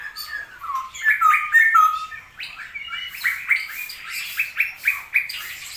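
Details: Straw-headed bulbul kept as a songbird in Indonesia, rainy season, delivering a bubbling, rollicking song of quick slurred notes that swell and fade in bursts, roughly four per second toward the end.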